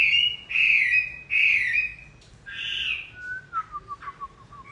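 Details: Chinese hwamei song in wet weather at the close of moult: three loud, sweeping warbled phrases followed by a string of short, falling whistled notes.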